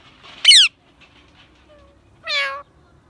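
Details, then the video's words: A parrot calling: two harsh, nasal calls about two seconds apart, the first rising sharply and the second a steadier squawk, with quiet background otherwise. "Parrot chirping sound"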